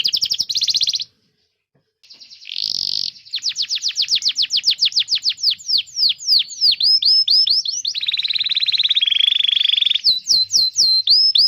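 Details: Canary song used as a training master for young canaries and birds that have stopped singing: a high buzzy burst, a second's silence, then fast rolling trills, rapid upswept whistles, and a long steady buzzy roll.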